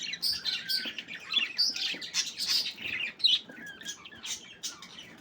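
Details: Group of budgies playing, producing rapid, overlapping chirps, twittering warbles and scratchy squeaks that rise and fall in loudness, with a brief sharp note near the middle.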